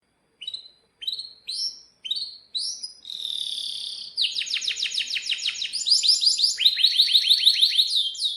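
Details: Canary in full song, used as a tutor for young birds; several separate sharp rising chirps, then a long held whistle, followed by fast rolling trills that step upward in pitch.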